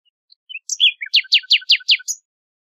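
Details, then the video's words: Nightingale giving a few varied introductory whistles, then six loud, evenly spaced, downward-sweeping notes delivered in a rapid run; quiet, clean background. "شريط تغريد عندليب"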